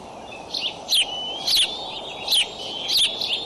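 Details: Eagle calls at a nest in Decorah on 25 May 2012 around 6:50 am, as an adult delivers a raccoon to three eaglets aged 55 to 59 days: high, thin chirping calls in bursts of roughly two notes, repeated every half second or so.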